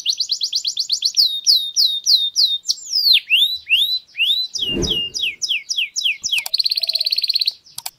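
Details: Canary singing in a garden with rapid repeated whistled and falling notes, a brief low thump partway, then a harsh rolling trill near the end.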